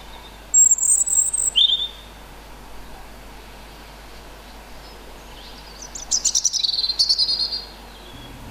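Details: European robin singing loudly in the evening near a house: high thin warbled phrases with rapid trills and descending slurred notes, a burst near the start and a longer one after a pause, another distant robin replying.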